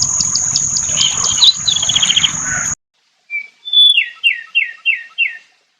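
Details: White-eye known locally as kecial kuning: high chirps over a constant shrill tone and background noise, then after a pause a clean series of five or six high, downslurred notes.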